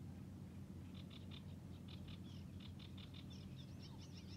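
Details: A sedge warbler, still singing in the reeds at Hörningsholm, Alnö on 9 July 2021, repeats short dry notes several times a second, then breaks into faster, varied chatter with whistles over a steady low rumble.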